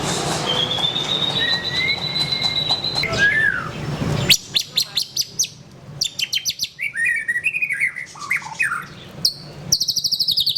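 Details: White-rumped shama song: long thin whistled notes held high and steady, a lower rising whistle, then a burst of rapid clicking notes and varied chirps and slurred whistles, ending in a fast high rattle.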